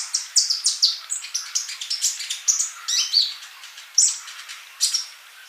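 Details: Energetic sunbird, a master recording for training birds: a dense rapid twittering of high, buzzy chirps, about four per second, slowing near the end into a few isolated sharp notes.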